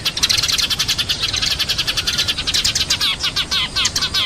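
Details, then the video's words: Busy chorus of Eurasian tree sparrow chirps: rapid, overlapping chips from several birds, growing into clearer repeated downward-slurred notes in the final second and a half. "SUARA BURUNG EMPRIT GEREJA"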